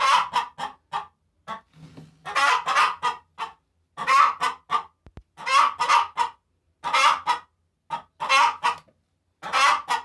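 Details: After laying eggs, a hen cackles in raucous grouped clucks, the bursts coming in steady succession with brief gaps; a short click partway through.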